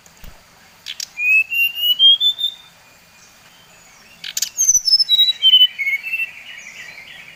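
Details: Lure song of a Bali-type brown-chested jungle flycatcher, meant to rile other males. One long whistle glides upward, a silent gap follows, then a cascade of whistled notes falls steadily lower, ending in a sustained trailing note.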